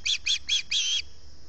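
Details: Osprey at a Salt Point nest, early morning, 11 August 2020, begging from hunger: three quick sharp whistled chips followed by one longer drawn-out squealing note.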